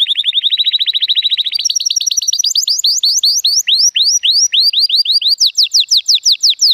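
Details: Timbrado Español canary cock, hatched 2018 and rated 83 points, singing on a sunny day: a fast even roll, then gradually slower, higher up-swept whistled notes, spaced further apart toward the close.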